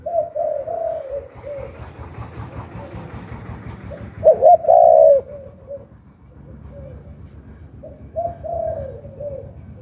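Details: Decoy spotted dove in the 'hạp bổi' voice style, cooing to lure wild doves: soft low hollow coo phrases repeat throughout, with a louder, rolling double coo burst near the middle, over steady low background rumble.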